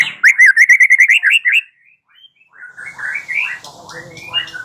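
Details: White-rumped shama lure song to make a bird answer: a quick series of repeated looping whistled notes, then quieter warbled phrases over a low background hum.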